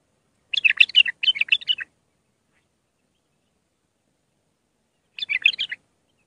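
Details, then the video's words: Iraqi bulbul singing in the raw Mandalawi style, a song used to tutor young bulbuls: two quick bursts of bright chattering notes, then a pause of about three seconds and a shorter third burst. "تغريد بلبل عراقي خام مندلاوي راقي ساعة كاملة التعليم افراخ البلابل"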